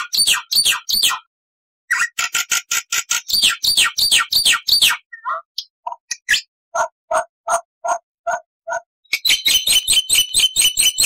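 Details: Black-winged starling delivering long and short bursts of varied chatter: fast harsh rattling notes, downslurred whistles, a series of low clipped chirps, then dense rapid trilling, loud and clear throughout.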